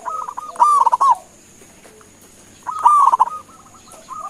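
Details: Perkutut, a local zebra dove, calling to draw replies from other birds: two rolling cooing phrases about two seconds apart, each opening with a quick stutter and ending in a soft trilled coo, with fainter coos between.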